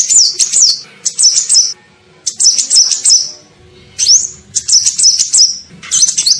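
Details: Sunbird, known locally as kolibri ninja, in a lure call used to attract birds: high, thin, wavering phrases of rapid twittering notes in bursts about a second long, separated by short pauses.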